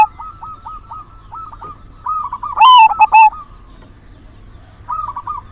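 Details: Silver zebra dove lure song meant to arouse singing in other doves. Steady soft coos repeat about twice a second before a loud, clipped burst of bubbling notes, then the quiet cooing resumes.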